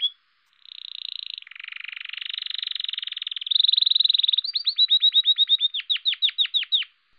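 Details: A male canary (Serinus canaria) sings its spring courtship song, a rich unbroken run of rapid buzzy trills shifting in pitch, ending in a series of quick, sharp, descending whistled notes.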